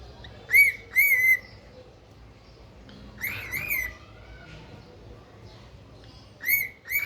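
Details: Pet cockatiel giving loud, ringing whistled calls that rise then flatten, in pairs with a gap between, over a steady low background hum.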